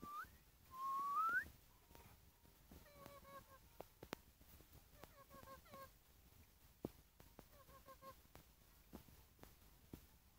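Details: A lory kept for sale lets out a loud whistle that sweeps steeply upward, then a string of short, nasal, doubled notes repeated every second or so, among soft clicks and knocks indoors.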